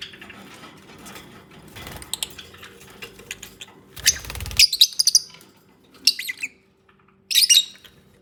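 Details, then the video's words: Lovebirds bonding and nesting, giving bursts of harsh, high squawky chirps in short clusters, a quieter rustling stretch first, then loud calls with pauses between. "Peaceful Lovebirds Moments | 20 Min Unedited Natural Bird Sounds"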